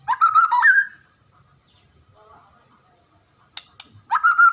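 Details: White-rumped shama, kept as a songbird in Indonesia, delivering a short rich whistled phrase, a long quiet gap with faint soft notes, then another loud phrase beginning.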